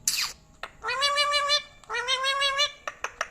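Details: Talking ringneck parrot, said to speak Urdu and Hindi, Indian or Pakistani bird, utters two drawn-out nasal phrases, each under a second, rising at the start. A harsh burst opens the clip and brief clicks close it.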